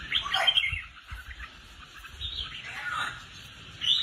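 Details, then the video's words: Pet red-whiskered bulbul groomed for contests sings a loud warbled burst at the start, softer chattering in the middle and a sharp phrase at the end. "Top Những Chiến Binh Chào Mào Đam Mê Có Tố Chất Đi Giàn Cứng"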